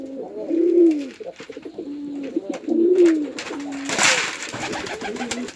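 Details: On a Bangladeshi pigeon farm in Chittagong District, a male and female pigeon fight; deep bubbling coos swell and fade about every two seconds, with a sudden burst of scuffling or wing noise near the end.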